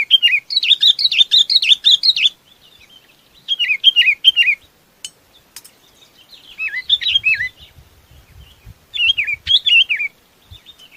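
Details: Chinese babax calling the flock in repeated bouts of harsh, wavering chirps separated by pauses, with a couple of sharp clicks and faint low rumbling in the background.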